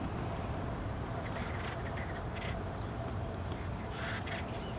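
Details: Noisy acorn woodpecker family near the American River, its newest chicks about ready to leave: scratchy, grating calls clustered in quick runs, set against constant low mechanical drone.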